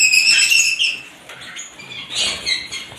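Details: Different lovebird types twittering: a burst of shrill, rapid chirps opens, fades to a quieter lull in the middle, then another run of sharp squeaks returns toward the end.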